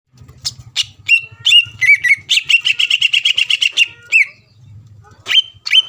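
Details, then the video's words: Greater green leafbird singing vigorously to provoke a rival into singing: sharp upslurred whistles, then a fast run of about a dozen repeated chirps near mid-pitch, ending with bright slurred notes over a low steady hum. "CUCAK IJO GACOR MEMANCING EMOSI LAWAN AGAR LANGSUNG BUNYI"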